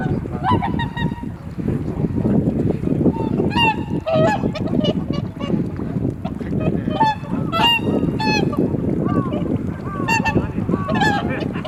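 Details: A gathered flock of swans at Kotoku-numa pond, Japan, greeting the dawn blue hour with a continuous chorus of overlapping, bugling 'koo-koo' calls. Dense low wind rumble runs underneath, captured by a camera's built-in microphone.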